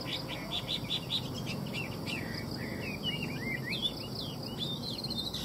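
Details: Chinese hwamei singing in captivity at a Vietnamese bird dealer. A fast trill of repeated whistles opens, followed by varied, twisting slurred notes against a soft, steady hum.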